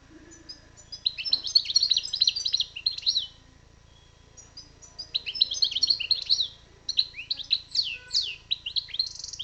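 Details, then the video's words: Bright, rapid twittering phrases from a European goldfinch, two long bursts of tinkling chirps with some sweeping upward notes, a short pause between them and a soft background hum. "chardonneret bird✧goldfinch✧الحسون الخلوي✧ المقنين الخلوي"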